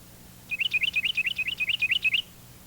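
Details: Carolina wren singing its two-noted song, played for comparison with the Kentucky warbler: a fast run of about ten paired whistled notes, each a quick rising-falling chirp, over a faint low hum.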